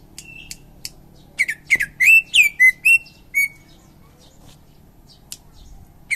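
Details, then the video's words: Greater green leafbird, an Indonesian champion singer, delivers a rapid run of clear whistled slurs and chirps lasting about two seconds, preceded and followed by a few isolated sharp notes and brief pauses. "Cucak ijo juara"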